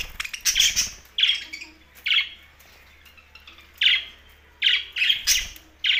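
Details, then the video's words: Budgerigar chirping in Larkana, Sindh: loud, bright, squeaky chirps in short bursts, spaced irregularly about a second apart across six seconds, with quiet pauses between. "Parakeet's Watihe Budgies Parrot Talking"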